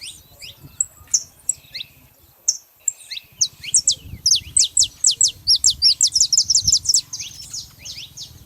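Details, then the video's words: Saffron finches singing freely in nature as a group: scattered high chirps give way to a fast run of sharp, repeated notes, nearly three per second. "festa dos canário da terra livre na natureza"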